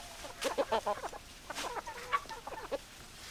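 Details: Chickens give soft, short clucks in little bursts, with brief pauses and one higher note near the end. The background is quiet.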